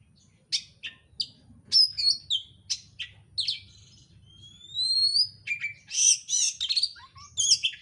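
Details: Fast, dense oriental magpie-robin lure song for provoking birds to sing: rapid high chirps and clipped whistles, a long thin rising whistle midway, then harsh buzzy phrases and falling notes.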